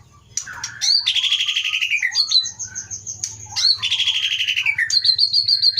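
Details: White-rumped shama, forest-caught in the Leuser mountains of Pining, Aceh, in 2010–2011, with a 22 cm tail and a strong voice; bright whistled notes sliding downward, repeated buzzy trills and a sustained high whistle, low hum beneath.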